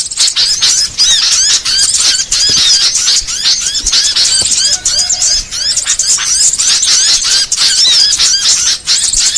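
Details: Small songbirds in a varied mix meant for training songbirds: dense, unbroken high twittering of rapid slurred whistles, chirps and trills overlapping throughout, with brief dips between bursts.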